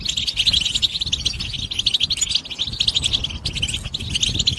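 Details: Goldfinch stimulation song: fast, high chattering twitters and tinkling trills pour out without pause, busy and sparkling throughout, over faint low background noise.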